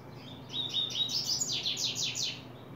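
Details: Song phrase of a double-collared seedeater opening its song, July 2024. It starts with soft high chips, builds into fast warbling, and ends in a series of sharp, downward-sweeping buzzy notes, with a faint hum below.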